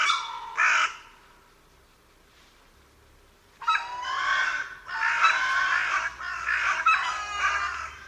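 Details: Carrion crow, a bird found across much of Spain, giving harsh cawing calls: one short caw, a pause of nearly three seconds, then a run of rough, repeated caws with a quiet background.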